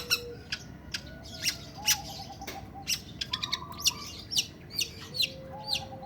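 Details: Long-tailed shrike in breeding condition, giving harsh, rasping notes while singing: short scratchy bursts at uneven intervals, some in quick clusters. Steady low tones and a background hum run underneath.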